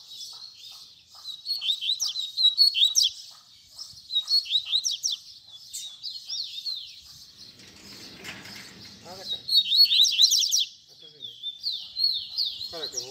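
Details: Long baderna tutor song from a double-collared seedeater for teaching young birds: repeated bursts of fast high chirps and downward-sweeping notes, briefly masked midway by a rustling noise, then resuming with whistled slurs.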